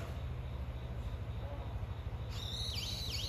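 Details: Calling brown-eared bulbul seeking its mate, starting late with a shrill series of dipping, V-shaped squealing notes over a constant low droning hum.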